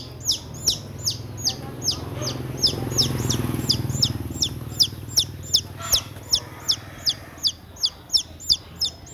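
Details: Chick that lost its way and ran indoors, peeping insistently: sharp descending high notes repeated nearly three times a second, briefly blurred by a low rumbling noise in the middle before the peeps ring clearly again.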